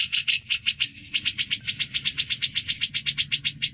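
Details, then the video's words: Grey-cheeked bulbul singing actively, a fast run of bright buzzy pulses repeated about six times a second, steady in pitch for nearly four seconds, with a faint low hum underneath. "Suara Burung cucak jenggot gacor"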